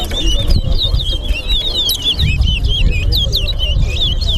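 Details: Chestnut-bellied seed finch (towa towa) singing in a bird race at the Lamaha & Vlissengen Road bird ground, Guyana; rapid whistled, warbling notes slurring up and down run without pause over steady crowd chatter.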